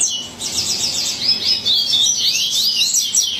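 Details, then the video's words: Frenzied song of a yellow-bellied seedeater, an unbroken stream of high, rapid twittering with sweeping slurred whistles and fast chattering notes over faint background hiss. "Coleiro Baiano Alucinado"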